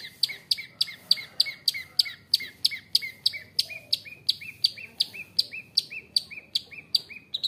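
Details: Long-tailed shrike of forest origin with fighter temperament, rapid rolling series of short high chips, around three per second, steady and evenly spaced, meant to rile rival shrikes.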